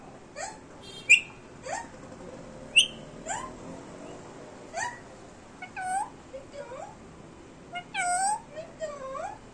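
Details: Pet Indian Ringneck parrot indoors, talking in Hindi: a string of short harmonic, word-like syllables with rising and falling slides, some bright and squeaky, spaced irregularly over about nine seconds in a quiet room.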